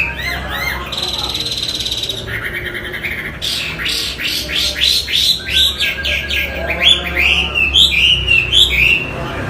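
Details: Chinese hwamei in full song: a held buzzy note, then a fast series of short descending whistles repeated several times a second, ending in bright looping phrases over a low background hum.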